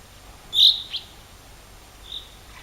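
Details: Wild bird singing in spring at Rogozyanske Reservoir, Kharkiv Oblast, Ukraine, on 4 April 2010: one loud, short, high chirp, a quick fainter note right after, then a softer high note about a second and a half later, against a quiet background.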